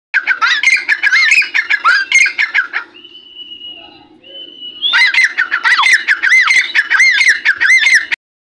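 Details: Francolin calling loudly at close range in harsh, squawking notes repeated in rapid bursts, a short pause partway through with two even whistled tones, then more vigorous squawking bursts.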